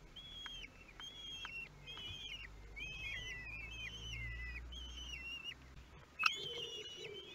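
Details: Kestrel chicks at the nest on their 13th day, 5 June 2022, at Théding, begging during a feeding: repeated thin, high squealing whistles in a steady series, then a sharp click and a lower call near the end.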